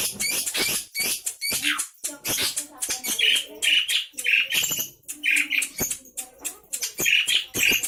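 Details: Noisy Javan pied starling from Java chattering nonstop: rapid scratchy bursts, wheezy squeaks and grating squawks tumbling almost continuously, several per second.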